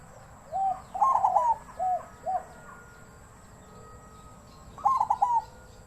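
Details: Zebra dove, captive-bred, singing in the 'wild voice' style: short clipped coos building into a fast rattling cluster of trilled notes, then a pause of about two seconds before another quick stuttered coo burst, over faint steady background hum.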